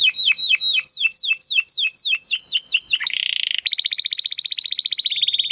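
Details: Domestic canary song for tutoring competition birds, in the 'crystal voice' style: a series of quick downward-swept chirps, a brief harsh buzzy burst, then a long even rapid trill of high clear notes.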